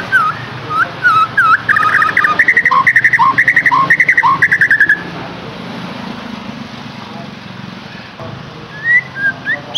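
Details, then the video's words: White-rumped shama singing, used as a lure to set a captive bird off singing: a rapid string of clear mid-pitched whistled notes for about five seconds, some paired, then quiet with a faint distant whistle and low background rumble. "KICAUAN UNIK Cocok untuk pancingan murai batu AGAR LANGSUNG GACOR dan NGEPLONG"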